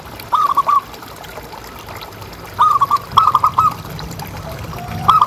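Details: Kept local zebra dove, a strong caller, played as a lure so other doves keep calling. Four stuttering cooing phrases of rapid mellow notes each ending on a longer coo, over faint hiss.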